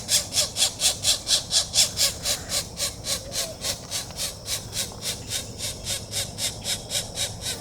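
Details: Pileated woodpecker nestlings calling while being fed, 4/21/24; scratchy, buzzing begging bursts come about twice per second, loud and regular at first, then a little softer and less even toward the end.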